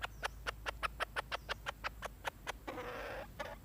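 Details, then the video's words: Red junglefowl hen making rapid, regular clucks, roughly four per second, that lead into a longer harsh, buzzy cackle and one final cluck. "suab poj qaib"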